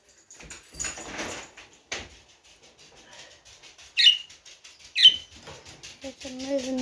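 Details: A budgerigar gives two sharp, high chirps about a second apart while being lifted by hand, amid rustling handling noise.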